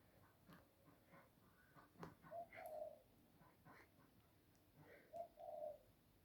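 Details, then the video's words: Ducks making an unusual, weird-sounding call: two short, tonal, slightly wavering mid-pitched calls, each about half a second long and spaced roughly three seconds apart, over a quiet background with faint clicks and thumps. "Ducks making a weird sound again!!!"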